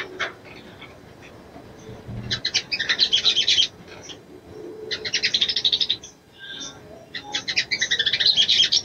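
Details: A female sogon calls to a male to arouse him. She sings in dense bursts of fast, high chattering notes separated by quiet gaps, with a soft thud early on.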